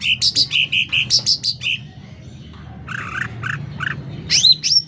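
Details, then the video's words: A rapid string of bright, clipped sooty-headed bulbul notes in full song, then a pause, some harsher burry notes, and a closing pair of rising whistled slurs. "Suara Cucak Ranting Gacor Volume Keras"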